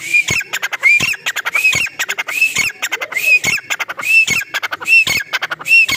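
Grey francolin calling loudly in harsh, high, rasping notes, repeated in quick bursts a little more than once a second.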